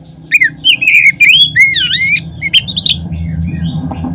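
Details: Oriental magpie-robin singing a lure recording meant to prompt other magpie-robins: a fast run of varied whistles, some rising and some dipping. The phrases slide and warble over a low background hum.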